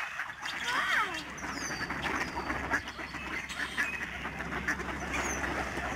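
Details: Snow geese honking while flying and swirling down in huge flocks at Alaksen National Wildlife Area, Fraser River estuary, Delta, British Columbia, March 2011. Many high, nasal honks overlap in a continuous clamour, some with clear bent harmonics.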